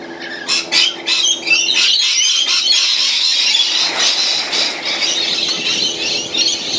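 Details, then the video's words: Unusually many rainbow lorikeets after a sudden influx, a dense wash of shrill overlapping screeches and chatter, constant and noisy throughout with a faint low hum beneath. "Noisy Rainbow Lorikeets"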